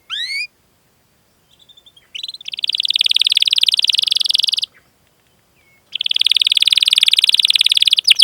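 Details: Canary singing rolls (ngerol) in a long chirping song meant to coax young, untrained or silent canaries into singing. A few downslurred notes open, then two sustained, rapid buzzy trills separated by a short silence.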